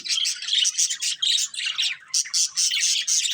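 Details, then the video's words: Budgies chirp in quick pulsed bursts, bright scratchy notes repeating several times a second, with a short lull midway before the chatter resumes. "Cute Budgies Chirping Sounds"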